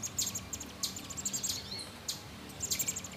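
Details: American robin chicks being fed in a nest inside a satellite dish beside a screened porch; high, thin chirps in short bursts, several overlapping, with a faint low hum beneath.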